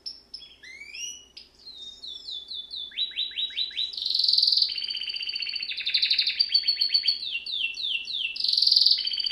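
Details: Training song of a domestic canary, Serinus canaria: varied opening of sweeping up-and-down whistles, then rapid descending slurred notes, a loud buzzy burst and long fast trills of repeated high syllables.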